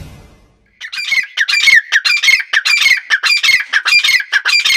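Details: Female grey francolin, one of a pair, calling: after a short quiet start, loud harsh squawking notes repeat in a steady rhythm, about two per second, each a ringing, rasping burst.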